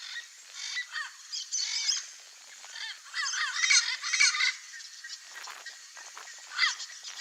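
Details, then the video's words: Turquoise-fronted amazon vocalizing in the wild in Brazil, natural wooded habitat: clusters of grating, nasal squawks with bent, arching tones, coming in uneven bursts roughly twice a second, then a pause and a lone call. "Sounds TURQUOISE-FRONTED PARROT, Singing"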